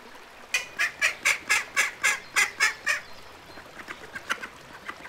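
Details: A duck on a pond gives a rapid run of about ten sharp, evenly spaced quacks, then fainter scattered notes trail off.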